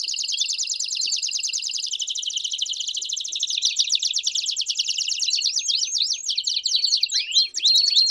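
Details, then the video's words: Belgian canary song meant to warm up a canary, a sustained fast trill of dense repeated notes that shifts midway into quicker rattling phrases, ending with upward-sweeping whistled slurs. "CANTO PARA ESQUENTAR CANÁRIO BELGA RÁPIDO!!!"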